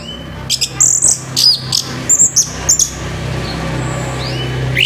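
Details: Harsh morning song of an orange-headed thrush, used to spur other thrushes into song: a quick run of very high thin chirps over a steady low hum, fading out into a few faint rising whistles.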